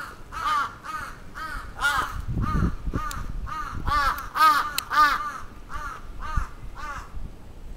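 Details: A crow attacking in Atsubetsu Ward, Sapporo, Japan, on 27 June 2017 gives rapid, harsh caws, nearly two per second for the whole stretch, with a few clicks and a low rumble.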